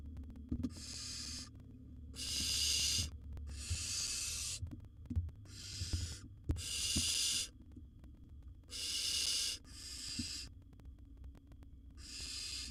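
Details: In a nest box, a wild barn owl chick swallows a bird after a sibling's theft attempt; a long series of about nine harsh, noisy hissing bursts, each under a second, with scratching and bumping sounds in the gaps.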